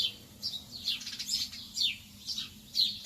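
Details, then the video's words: Several lovebirds in the early morning give harsh, high chattering chirps at irregular intervals, with some notes overlapping, against a low background rumble. "تغريد طيور الحب في الصباح الباكر"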